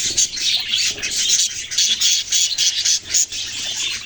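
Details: Baby budgies give choppy, scratchy high chirps in quick bursts separated by short gaps, roughly three or four bursts a second, over a background of softer chatter.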